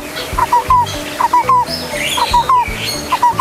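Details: A captive female Lineated Barbet in an aviary, newly paired, gives short, hollow whistled notes in quick groups of two or three about once a second, beneath a man talking. The species' calls can resemble a zebra dove's.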